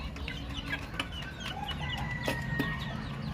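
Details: Baby chicken chirps, quick high peeps repeated several times a second, a longer level whistle near the end, plus a couple of sharp knocks against low humming noise.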